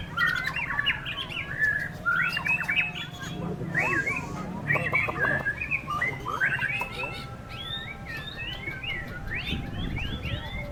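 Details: Strong wind during a white-rumped shama singing contest; the bird pours out bursts of twisting whistled and scratchy phrases, then clear looping slurred notes near the end, with low wind noise and faint voices.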